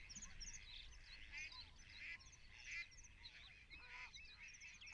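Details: Water rail at Rutland Water Nature Reserve, recorded in January 2022, giving harsh, harmonic squealing calls in short bursts roughly once a second, over steady high twittering from small birds and a low background rumble.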